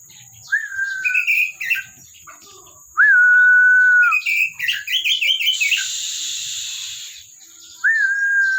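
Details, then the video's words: Caged Oriental magpie-robin in full song, with three long pure whistles held level for about a second each, separated by chattering and slurred note clusters and a brief hissing noise burst. "KACER GACOR"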